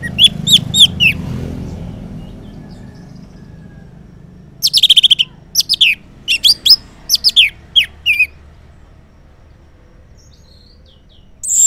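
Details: Morning song of an orange-headed thrush used as a lure for silent males to respond; a short run of high notes, a quiet pause, then a long series of sharp, varied, evenly spaced notes.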